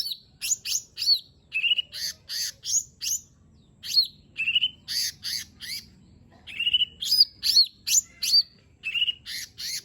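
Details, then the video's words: Lesser green leafbird (cucak ijo mini) in full, varied song rich in imitated phrases, used as a lure to get a reluctant bird singing: bursts of buzzy chips alternate with sharp downslurred whistles, nearly three notes per second, with a faint low hum behind. "Cucak Ijo Mini 💯 Nembak Isian Bagus Buat Pancingan Jomin Malas Bunyi Agar Cepat Gacor"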